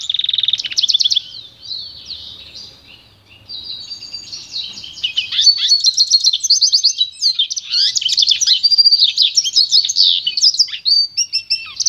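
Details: Goldfinch × canary hybrid (pintagol) in pure song meant for training: a rolling warble that quietens briefly near three seconds, then builds into dense, rapid trills and twitters, many notes per second, sharp chirps sprinkled through.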